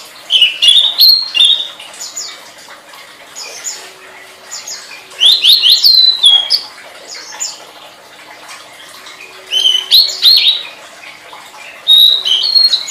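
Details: Tledekan song as a master recording for training songbirds: bursts of loud, high whistled and chattering phrases, rising and twisting notes, with quiet gaps between bursts and a faint steady hum underneath.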